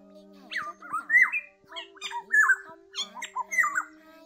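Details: Oriole calls used as a net-trapping lure for migrating flocks in Vietnam in August: clear slurred whistles and harsher bent notes in short bursts, over a steady low electronic hum.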